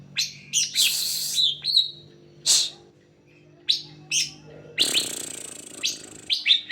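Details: Greater green leafbird song used to lure other leafbirds into singing: loud, fast, high chirps and buzzy bursts, some notes run together into a harsh rasping stretch.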